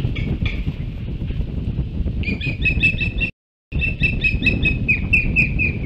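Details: Osprey recorded at Hog Island, 23 August 2016, giving strings of quick piping whistles that break off briefly and resume in a faster, insistent run, with strong low wind rumble throughout.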